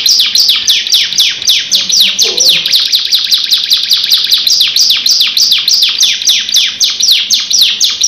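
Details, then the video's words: A canary pours out a loud, continuous rolling trill of high, falling whistled notes, several per second, with a faint low sound briefly underneath. "KENARI GACOR NGEROL NEMBAK DURASI PANJANG | CANARY SINGING"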